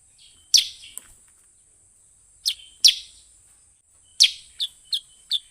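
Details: Sooty-headed bulbul luring wild birds with irregular sharp, descending chips, ending in a quick series of three softer chips. A thin high whine persists throughout.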